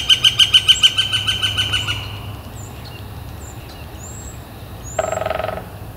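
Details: A spring call of a Northern flicker, recorded April 28, 2014, under clear blue sky: a fading train of piercing kek notes for two seconds. Faint high thin bird whistles and a short low burred sound come after.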